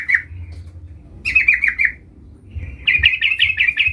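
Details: Sooty-headed bulbul, known as trucukan, calling to draw a rival: one sharp chirp, a short bubbly run of slurred notes, then a quick pulsing chatter with a faint thin tone before it; low hum throughout.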